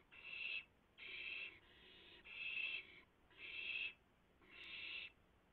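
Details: Nest owls at a rabbit delivery in the small hours of April 7, 2016, with several birds feeding in turn; six rhythmic hissing screeches about one second apart, separated by near silence.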